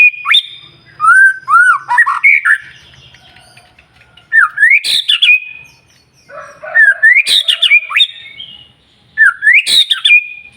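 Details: White-rumped shama singing continuously day and night, used to provoke other shamas and rouse off-song birds into singing: loud, richly whistled phrases with slurred rising and falling notes and sharp harsh bursts, separated by short pauses.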